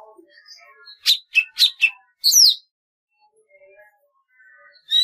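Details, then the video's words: Golden-fronted leafbird song of four quick sharp notes followed by a loud descending slurred whistle, with soft quiet warbling before and after. "tiếng chim thanh tước"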